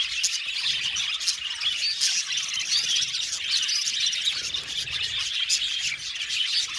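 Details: Colony of Australian budgies in an aviary, a continuous dense chorus of many overlapping high chirps, warbles and chattering notes with no pauses.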